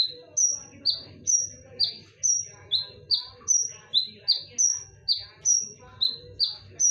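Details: Konin lure song, loud and sharp: an unbroken chain of about two whistles per second, high flat tones trading with slightly lower falling ones, faint low rumble behind.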